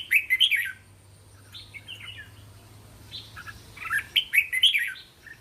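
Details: Teasing training song of a red-whiskered bulbul for caged youngsters: a quick burst of chirpy whistled notes, quieter scattered notes, then another lively rippling run of bright slurred whistles.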